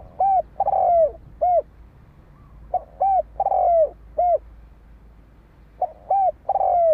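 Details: Spotted dove giving a fighting-style coo used to provoke and stir up decoy birds: three-part phrases of a short coo, a longer slurred coo, then a short coo, repeated about every three seconds, three phrases in all, with faint background hum.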